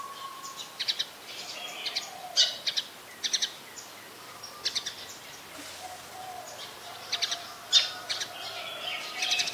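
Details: Brown-throated sunbird in Ubon Ratchathani, Thailand, filmed 2 January 2021 on a Nikon P1000; brisk high-pitched chirps come in quick pairs and small bursts, with a faint low hum and soft ambient noise underneath.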